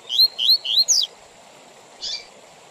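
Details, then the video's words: Coleiro, the Double-collared seedeater, sings one short tui tui zel zel phrase used for song-teaching and tournaments: four bright rising slurred notes in quick succession, then a single faint note after a pause. "Tui Tui Zel Zel Com Intervalos Para Encarte de Coleiros e Papa capim"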